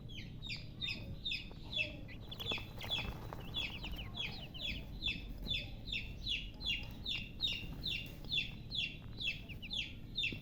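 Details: Chicks give a long, insistent series of loud, high, down-slurred peeps, about two or three per second, fairly steady throughout, with faint low background noise.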